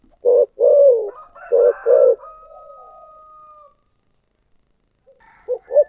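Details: Spotted dove singing in the thổ sấm style. Two short hoots lead into a long, downward-sliding coo, then another paired phrase of low coos. A thin sustained tone and faint extra sounds trail behind.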